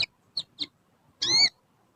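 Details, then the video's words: Young canary learning its song: three short, high ticks followed by a longer, rich chirp with layered downward-curving tones, in otherwise quiet surroundings. "kanari belajar bunyi"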